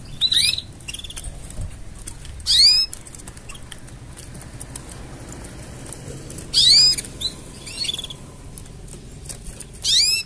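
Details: Canary singing as mating sounds: four loud, short bursts of high, descending curved whistles about every two seconds, with fainter chirps between and quiet low background hum.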